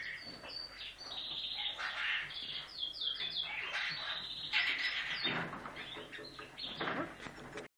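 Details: Common kestrel chick at a rescue station, hand-fed after falling five storeys from a rooftop nest on an inner-city apartment block; legs deformed by rickets. Dense, shrill, high chirps and squeals pour out almost continuously, with rustling underneath.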